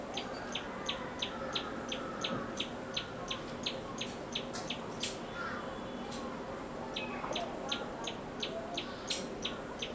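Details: Common tailorbird, known in Bengali as tuntuni, calling with sharp, high, clipped notes repeated steadily about three times a second. The series pauses briefly midway, then resumes over a constant background hiss with faint low rumbling.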